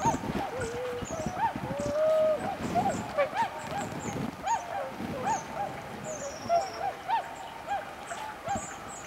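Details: Swans calling at dawn on 11 November 2010 as forest birds begin singing: repeated mellow, upward-inflected hooting notes from several birds, overlapping, with thin high bird notes above.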